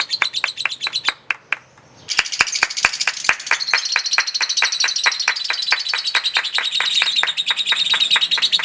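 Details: Long ngekek chatter of a lovebird in a singing battle: high chirps, a brief near-silent gap with a few sharp clicks, then the dense shrill chatter resumes and continues to the end.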